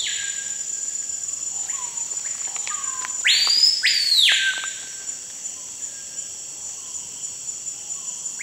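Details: Screaming piha singing in Amazon rainforest near Manaus, Brazil: one loud ringing whistled phrase that jumps steeply up then slurs down, set against a constant high insect drone and scattered soft chirps from other birds.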